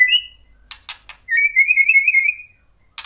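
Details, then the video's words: White-rumped shama singing to provoke rival shamas: a short whistle, several dry clicks, then a long wavering whistled phrase, ending with another click. "KICAUAN MURAI BATU bikin NYAUT EMOSI jadi BUNYI GACOR NGEPLONG BONGKAR ISIAN | PANCINGAN MURAI"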